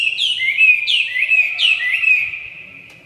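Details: Red-whiskered bulbul giving three similar whistled phrases, each a sharp high note sliding down into a sweet descending warble, spaced about three-quarters of a second apart.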